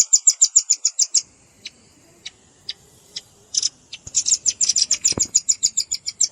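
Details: Bird-trapping lure of red-billed rambatan blended with juvenile calls: quick high chip series opening, scattered single notes mid-way, then another fast run of piercing chips.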